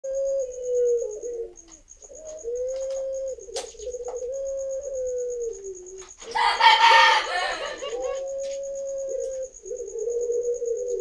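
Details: Barbary dove over five months old, one of a group of young birds learning to call: long, low, steady coos repeated with short gaps, a loud harsh noisy burst midway, and a faint high electronic whine throughout.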